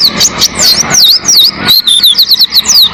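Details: Oriental white-eye singing on a tutor recording for caged birds: clear high V-shaped whistles repeated about three times a second, forming a bright, bouncing phrase.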